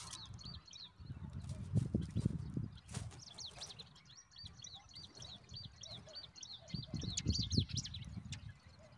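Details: Zitting cisticola at the nest, a parent feeding a huge mantis to newborn chicks; thin, high chirps come in a quick, uneven run through the second half, over low rustling and thumping handling noise.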